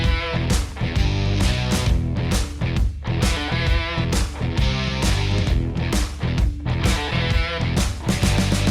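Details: Loud rock music with driving electric guitar and a steady beat fills the whole recording.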